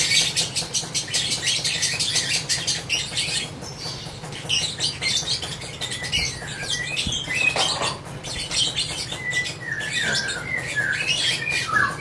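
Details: Long ngekek chatter from a lovebird: rapid rattling, scratchy notes pour out at high pitch, easing into looser squeaks and a few short whistled slurs near the end, with a low hum throughout.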